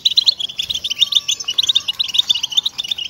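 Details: {'caption': 'European goldfinch song for motivating caged birds: rapid, sparkling chirps and buzzy trills tumbling together, with a faint thin whistle drifting underneath.'}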